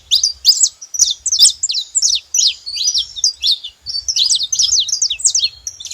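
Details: Saffron finches making a lot of noise at a feeder: dense, overlapping bursts of high, sharp chirps and short slurred notes, nearly continuous, with faint low rumble beneath.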